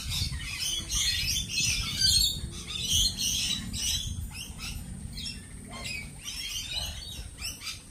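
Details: Lorikeets producing harsh, grating squawks and shrill screeches, about one burst per second, with continuous lower chatter beneath.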